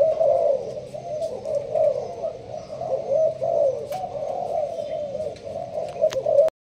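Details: Malaysian-strain spotted dove kept in a leafy cage, cooing in the sparse song style: a steady run of low, soft, rolling coos with slight wavering, ending abruptly; light clicks and indoor background hum.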